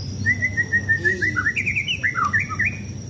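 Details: Caged White-rumped shama being sunbathed before contests, delivering a steady run of whistled notes that climb into warbling, wavering phrases, with background hum.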